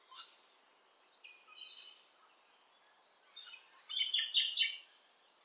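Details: Rainbow lorikeet visiting a garden: scattered harsh, high screeching bursts, then a louder run of rasping shrieks near the end, separated by quiet gaps.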